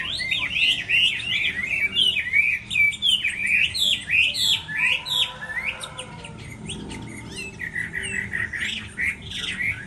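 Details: A Chinese hwamei during its moult, singing competitively, pours out a loud, rich song of rapid whistled phrases, swooping and trilling high, with brief pauses between bursts; faint background chatter.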